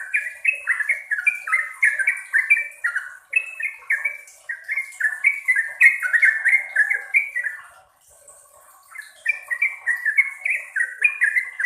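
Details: Yellow-vented bulbul singing in long continuous bursts: rapid chains of bright, down-slurred whistled notes tumbling over one another, a brief pause near the middle, then another fast burst; a faint high steady tone persists.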